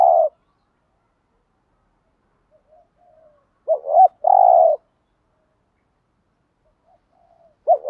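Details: Cooing spotted dove, a call used to get decoy doves to coo in reply. Loud phrases of a quick two-part note and a sustained even coo recur about every four seconds, with faint quiet coos between them, against a silent background.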